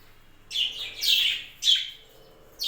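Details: Budgerigars kept on a home budgie farm chatter in loud, high, scratchy chirp bursts, three main phrases within under three seconds over a faint low hum.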